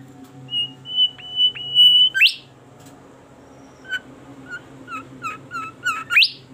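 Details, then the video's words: Bimoli bird singing actively and melodiously: a run of level, clear whistled notes near one pitch, then a sharp rising upslurred squeal. Short chirped notes follow, ending in another steep rising sweep. A low steady hum sits beneath. "burung bimoli gacor merdu suaranya"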